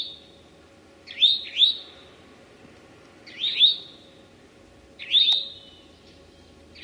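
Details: Eastern towhee, late morning, May 25, 2011, in Sudbury's Memorial Forest or Marlborough's Desert Natural Area, Massachusetts: paired and single rising, slurred whistled notes with drawn-out tails, given in bursts about two seconds apart against a soft, still background.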